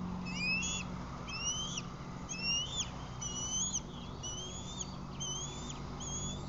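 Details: Female osprey at a Lake Murray nest camera, 11:07 am on 16 July 2020, racing to the nest after catching a fish: a steady series of rising whistled chirps, about one each second, over a constant low hum.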